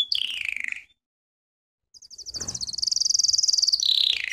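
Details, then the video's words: Belgian canary song for training: a short descending whistled roll, a second of silence, then a fast high rattling trill that drops into a lower slurred note. "CANTO CANÁRIO BELGA"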